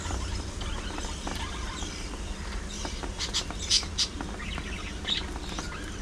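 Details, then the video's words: Pet budgerigars chirp in a busy household group, with scattered thin high tweets that cluster in a few quick notes midway, set against a low droning background. "Budgies Being Budgies: Non-Stop Fun, Fights, Love & Chirpy Chaos!"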